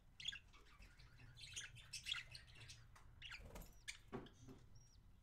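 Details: Parakeet feeding another parakeet, January 26, 2017. Scattered raspy squawks and chirps come in uneven clusters, ending with a couple of thin, short whistled notes, over a quiet low hum.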